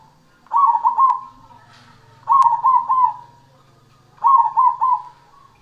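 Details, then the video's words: Cemani zebra dove singing vigorously: three bright, rolling cooed phrases of quick staccato notes, each about half a second long and spaced roughly two seconds apart, over a faint low hum. "perkutut cemani super gacor"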